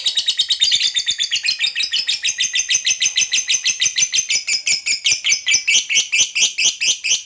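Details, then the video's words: Fighter lovebird in full ngekek panjang, the long trilling song used to coax other lovebirds to sing: continuous shrill, scratchy chattering notes repeated rapidly and steadily for over seven seconds without a break. "SUARA BURUNG LOVEBIRD NGEKEK PANJANG"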